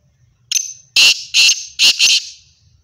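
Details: Black francolin calling: a short run of loud, harsh, buzzy notes, four main bursts with a grating, broadband quality, spaced under half a second apart, with near silence between them.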